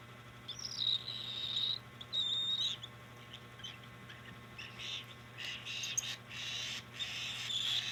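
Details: Cockatiel begging during hand feeding, 2025: two raspy, hissing bursts of about a second each early on, then a run of broken, noisier rasping calls over a steady low hum.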